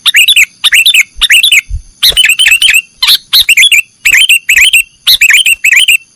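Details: Sooty-headed bulbul performing the nggaruda song style, recorded for training cage birds. Short scratchy chirped phrases repeat nearly once a second, each ending in a downward swoop.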